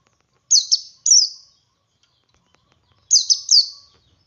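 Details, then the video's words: Male white-eye ngalas song used as a lure for other white-eyes: short groups of two or three thin, high, falling chirps, one pair followed by another after a quiet stretch. "Suara Burung Pleci Jantan Ngalas Memancing Pleci Lain Ikut Ngalas"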